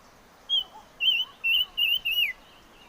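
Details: Singing of the bird known in Vietnamese as chim ngũ sắc: five loud, warbling whistled notes, each wavering up and down at a fairly high pitch and spaced about half a second apart, over a quiet background.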